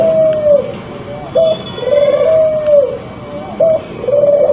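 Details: Spotted dove, crossbred and in breeding condition, repeats a mellow coo phrase about every two seconds. A quick rising note leads into a sustained, gently falling tone. Faint background hum.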